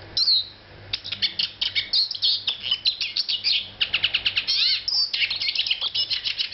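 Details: Eurasian siskin, a small forest bird, singing a fast, dense twitter of high chirps and trills, broken by drawn-out, wheezy, downslurred notes and brief pauses.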